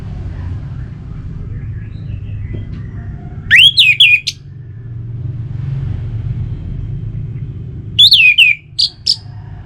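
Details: Orange-headed thrush, a bird recording played to get kept birds singing: two short bursts of loud, clear whistled notes sliding up and down, separated by a few seconds of low rumbling background noise.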